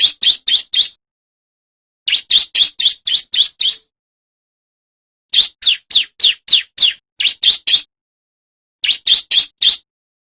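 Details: Loud male bar-winged prinia, recorded for bird training and as a lure: quick runs of four to eight bright, high chirps in uneven bursts separated by short silent gaps.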